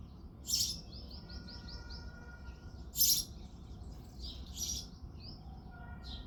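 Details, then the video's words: Male house sparrow at dawn in February: a harsh chirp followed by a string of soft rapid notes, then two more loud chirps and a brief final note. "House sparrow sound effect | Sparrow chirping sounds"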